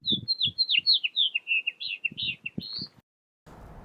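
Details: House finch, a local Pasadena-area bird, in a rapid, melodious warbling run of slurred notes for about three seconds, closing on a rising high note; low thumps sound beneath.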